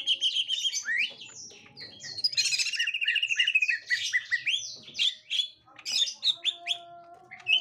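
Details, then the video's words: Gotri green leafbird on finding a young wild green leafbird: dense torrent of rapid chirps, sweeps and trills, louder mid-passage, with faint steady tones in the background. "Tingkah Cucak Ijo Gotri Saat Di Temukan Cucak Ijo Muda Hutan"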